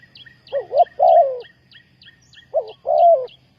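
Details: Close spotted dove coos for luring wild doves to a trap. Two phrases each open with a short rising double note and end in a longer wavering coo. High chirps repeat overhead and a faint hum runs underneath.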